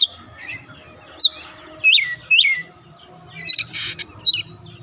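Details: Oriental magpie-robin singing to get untrained young birds to join in, giving scattered loud, high whistled and slurred notes with short pauses over a low background hum.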